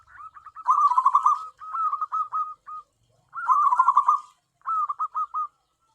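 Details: Tame local zebra dove kept for luring wild doves gives two phrases, each a loud rolling, vibrating coo followed by three or four short clipped coos at a steady mid pitch.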